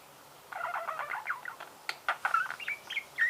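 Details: After a quiet start, a budgerigar breaks into a throaty warble, then sharp clicks and thin squeaky whistles in quick succession.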